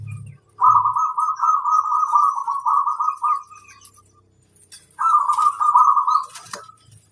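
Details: Local Zebra dove (perkutut) singing persistently from its perch: a long, rolling, warbled coo held for nearly three seconds, a pause, then a shorter second rolling phrase; faint low thumps at the start and light clicks near the end.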